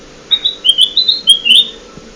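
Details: Lure recording of a ruby-throated bulbul (kutilang emas) for bird trapping: a quick run of about eight sharp, sweet chirped whistles, rising and falling, packed into under two seconds against a quiet, faintly humming background.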